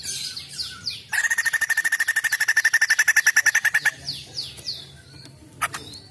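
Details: Female white-crested laughingthrush singing actively: a fast, steady run of sharp, even chattering notes lasting about three seconds, framed by thin, high, downslurred whistles before and after.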